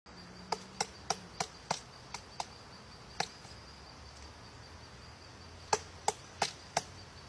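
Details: Woodpecker pecking at a tree: sharp dry knocks, a quick series of seven spaced about a third of a second apart, a pause, then four more, over a faint steady high hum.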